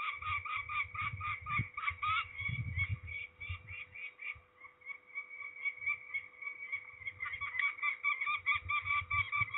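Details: Ringing of peregrine falcons at Trzebież, Poland, 13 May 2019: rhythmic harsh calls, then a drawn-out wailing tone mid-clip before the rapid chattering resumes, with low handling rumbles.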